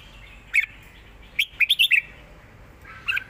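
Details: Red-whiskered bulbul singing a southern Thai master song pattern, loud and fresh, looped for teaching other birds: a lone sharp note, then a quick run of four or five bright chirpy whistles, and a final two-note phrase.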